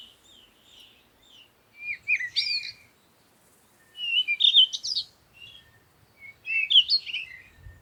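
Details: Wild birds chirping at sunrise in the morning: three bursts of sweet, high twittering phrases with quick rising and falling notes, each lasting about a second, separated by short pauses, with no other clear sounds.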